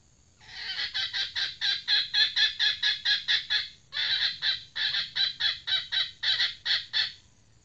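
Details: Female red junglefowl used as a decoy, calling two long bursts of loud, raspy clucks, about a dozen in each, split by a short pause, with uneven spacing and rapid delivery.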